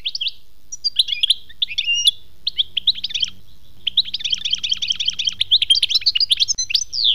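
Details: European goldfinch singing the khmis melyana song style: bright, tinkling twitters and rapid buzzy trills in quick bursts, with a dense run of liquid notes over the second half and a faint low hum beneath.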